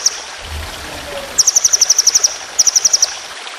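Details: White-rumped shama, a competition songbird, in a tutoring recording of long, fast rolling 'tembakan' phrases. Two bursts of rapid, evenly spaced high chips, about ten and then six notes. A soft rushing, stream-like hiss runs underneath.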